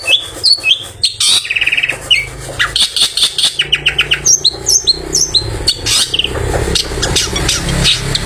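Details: Long-tailed shrike after bathing, sung as an afternoon lure for other shrikes: harsh chattering and whistled slurs, a fast ticking trill, then dense noisy bursts, over a low background hum.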